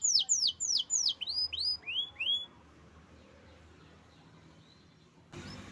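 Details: Canary in Indonesia singing a short burst of loud, downward-slurred whistles, about three a second, then falling silent before a brief noise at the end.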